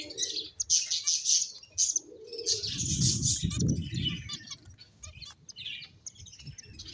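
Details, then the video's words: Several finches playing, with busy high chirps in clustered bursts, a lower note near the start, and a patch of low rustling or wing flutter midway. "Cute Birds Chirping Sounds | Beautiful Finches Playing"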